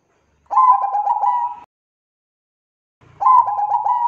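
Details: Bangkok-type zebra dove in full, lively song, recorded as a prompting lure: two rapid, pulsing coo phrases a little over a second long, each a rolling run of clipped notes, separated by a short silence.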